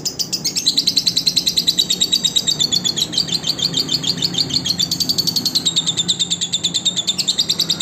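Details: Lovebird song used as a training recording for other lovebirds: a fast, continuous stream of shrill, high chirps, several per second, rising and falling slightly in pitch, with a faint low hum underneath.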